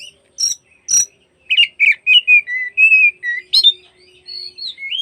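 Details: Oriental magpie-robin singing in the afternoon to provoke rival magpie-robins: sharp high clicks open, followed by a string of rich whistled notes, slurred down and up, in a steady phrase ending with a rising whistle.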